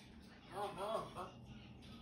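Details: Four-year-old talking African grey parrot uttering one short, speech-like phrase under a second, in a mid-pitched, slightly nasal voice, against a quiet indoor hum.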